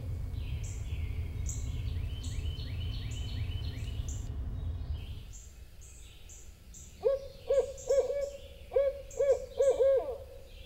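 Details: A male northern Barred Owl near a nest box in Eastern Massachusetts gives a few hoots in late afternoon in near freezing weather, drawing his mate off her egg: rich, mid-pitched hoots in short uneven groups near the end, after low rumbling noise and faint high chirps.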